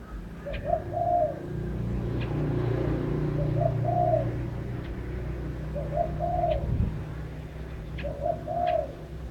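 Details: Bird song of low, gentle coos. A short note leads into a longer rolling coo, and the phrase repeats four times roughly every two and a half seconds over a constant low hum.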